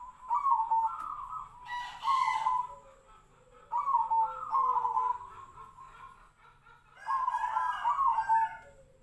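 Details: Zebra dove singing in the Tejoanom style, a voice likened to the sirtu-sirpo bird: three warbled cooing phrases about three seconds apart, each rolling and slightly falling, with a soft, low descending tone between and brief rustling bursts.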